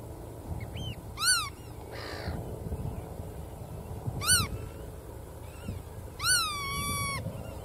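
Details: Black-tailed godwit with three loud, upward-sweeping nasal calls, the last stretched into a long even note. Faint calls and a brief rasp sound between them over low rumble.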